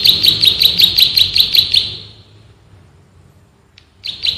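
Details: Bar-winged prinia male from rice fields in dense, fast song: eight sharp high chirps in quick succession, then a long silence, then the chirping starts again near the end.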